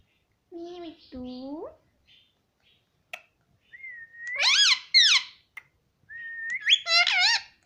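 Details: Indoor pet Indian ringneck parakeet, said to say "mummy": short speech-like mimicked syllables, then two longer phrases opening with a level whistle that breaks into rapid harsh, rich-toned syllables, room otherwise quiet.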